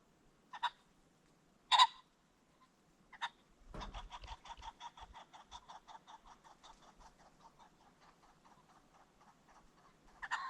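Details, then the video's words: Ring-necked pheasant at sunset in a creek bottom: a few sharp, raspy notes, then a low thumping flurry and a long run of rapid, fading clucking notes before one last harsh call. "The Sounds of the Ring-necked Pheasant"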